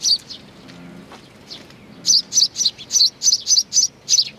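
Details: At Tenmangu shrine in Nakanoshima, 21 June 2020, sparrows coming for food open with a few soft chirps, then a rapid run of bright, high tweets roughly four per second.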